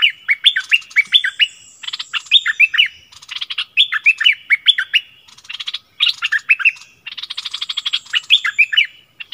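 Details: Decoy Streak-eared bulbul singing on 16 February 2021: an almost continuous, lively chatter of fast, bubbly warbled chirps in rapid runs, broken by very brief gaps, loud and close.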